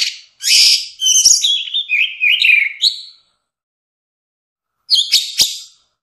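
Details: Orange-headed thrush singing a long run of mixed notes, harsh chatter sliding into a string of warbled whistles over two seconds, then silence and a final scratchy phrase.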